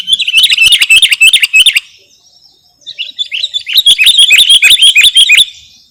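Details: Two bursts of quick repeated chirping from a Sooty-headed bulbul, several notes per second, each burst nearly two seconds long and separated by a short quiet gap. Made as a lure or tutoring recording.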